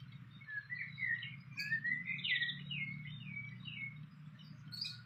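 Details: Wild fantail near its nest: a stream of quick whistled notes, rising and falling, with one louder burst of slurred whistles over a steady low rumble.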